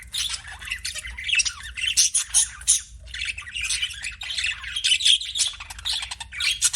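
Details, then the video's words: Budgerigar chirping in loud, dense bursts of scratchy, buzzy chatter mixed with quick high squeaks, pulsing on and off every half second or so with brief gaps. "BUDGIE CHIRPING SOUNDS"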